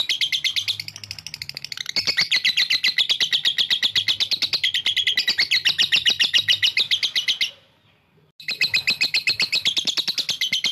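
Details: Lovebird giving a long ngekek trill meant to provoke rival birds: a dense, high, rapid chattering run of notes about four per second, sustained for over seven seconds, a brief silence, then the trill resumes.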